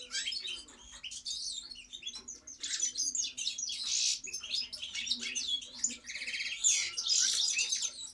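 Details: Continuous jangling song from a European goldfinch. Quick chirps and liquid twitters tumble together, punctuated by a few harsher buzzy trill bursts near the end.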